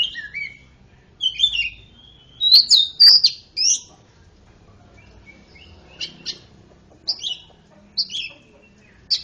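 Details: Greater green leafbird song, filled with magpie-robin phrases, meant to stimulate silent birds into singing: varied clear whistled phrases, some rising and some falling, in bursts separated by pauses.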